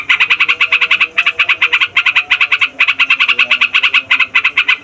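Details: Yellow-vented bulbul rolling noisily in 'ngeroll' style, used to lure and tutor bulbuls. Quick harsh notes come in runs of about a second, with faint lower calls behind.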